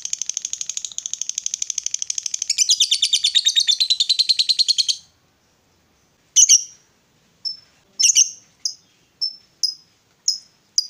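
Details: Long ngekek chatter from a female fighter lovebird, a call meant to rouse rival lovebirds: five seconds of fast, dense, high-pitched rattling notes, then a short silence and a series of separate sharp chirps.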